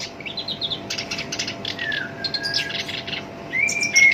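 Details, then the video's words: Black-browed reed warbler, kept and called sinchan, in rough-voiced song used to draw other songbirds into singing: quick chirped runs, a long thin falling whistle, then scratchy bursts and a loud rising whistled note. "SINCHAN (KERAK BASI ALIS HITAM) GACOR POL, SUARA KASAR COCOK BUAT PANCINGAN GACOR LANGSUNG NYAMBER"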